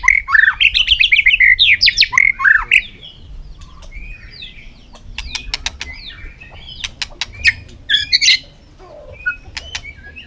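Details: Fired-up white-rumped shama singing in contest during the afternoon: rapid bright warbled phrases for nearly three seconds, then scattered sharp clicks and snaps, with short whistles returning later.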